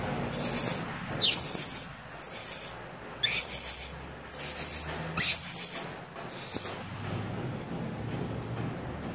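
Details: Blue-crowned hanging parrot (Loriculus galgulus) lure call, used to call other birds in to a baited trap rather than to challenge them, gives seven shrill, very high squeaky notes, about one a second, some sliding downward, over a quiet background.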